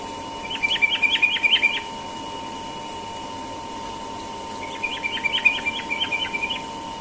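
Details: Morning ropel song of a sooty-headed bulbul: two quick runs of about eight rapid chirped notes each, separated by a silent gap of nearly three seconds, with a constant background hum.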